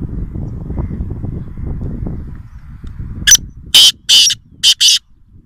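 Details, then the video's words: Black francolin, known locally as kala teeter, calling in the wild near Nawabshah, Pakistan: one sharp note, then four loud, rasping, grating notes in a rhythmic burst lasting under two seconds. Low rumble fills the quieter first part. "Kala Teeter Wild (Voice Only) | Black Francolin | Black Partridge"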